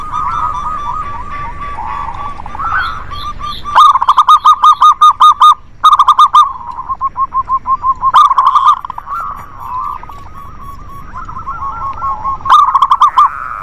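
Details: Local zebra doves singing as a lure to get reluctant birds to sing: several overlapping voices give rapid runs of short, clipped cooing notes, in bursts of loud, evenly spaced pulses separated by softer, more continuous cooing.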